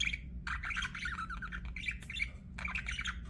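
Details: Budgie chatter in quick bursts of buzzy, squeaky chirps and little trills, almost without pause, with a constant low hum underneath.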